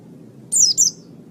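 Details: Oriental white-eye, recorded as a master track for bird training: two quick, very high downward-slurred whistles in succession over low background hum.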